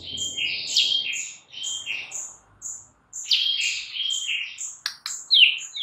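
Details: Morning singing by a white-rumped shama: bursts of high, buzzy trilled notes with a thin sustained whistle, broken by short pauses and a few sharp clicks near the end.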